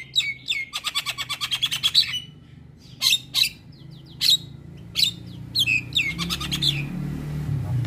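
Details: Javan myna in a training track for morning play to make mynas sing: a fast rattling series of clicking notes, then spaced harsh squawks and descending whistled slurs, with a low hum behind.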